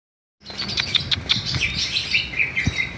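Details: Greater green leafbird, the Bali type, in rolling ngerol song: dense high chirps and short whistled notes with sharp clicking ticks, after a brief silence at the start.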